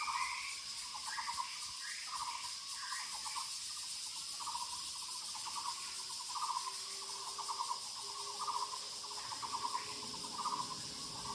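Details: Woodland Muller's barbet repeating a rattling, pulsed phrase about every second, with a steady rhythm throughout, while a loud high insect buzz fills the background.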